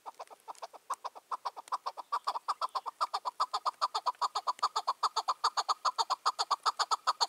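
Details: Territorial wild chukar cock, five or six years old, which goes to silence other males when he hears them, giving an evening call: evenly spaced, rapid chuk-chuk notes building in volume, with a very regular rhythm.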